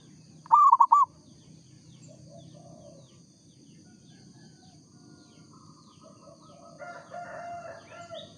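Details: Local zebra dove giving one loud, rapid cooing phrase of several rolled notes, followed by quiet background hiss and faint distant bird calls.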